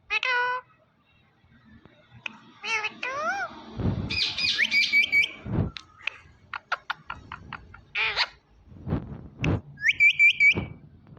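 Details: A talking Indian ringneck parrot runs through a mixed sequence: wavering harmonic notes, rolling trilled whistles, dry clicks and knocks, and a final trilled whistle. Quiet gaps separate the phrases.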